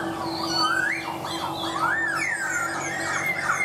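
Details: Laughingthrush giving looping, rounded whistled phrases that rise and fall smoothly, a few slow arching notes, above a constant low hum.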